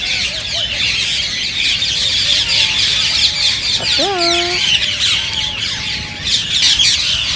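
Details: Rose-ringed parakeet calls used to encourage other parrots to sing and breed: an unbroken wash of shrill, overlapping chatter from many birds, broken midway by a loud, nasal, downward-sliding call.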